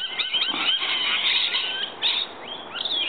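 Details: Rainbow lorikeets arriving in the morning to be fed, a small group: overlapping shrill screeches and squeals forming a continuous chatter, with brief quieter gaps.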